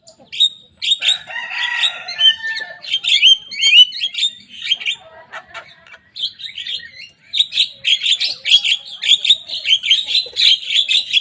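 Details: A young Javan myna mixes whistled slurs and scratchy chatter in a lively, varied mimicking song copied from rival birds, growing denser toward the end.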